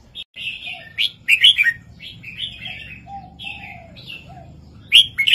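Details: ['Red-whiskered bulbul southern 3-4-5 master song for training caged birds: crisp, chirpy warbled phrases, with loud clusters at the start and end and a faint, low whistle underneath.']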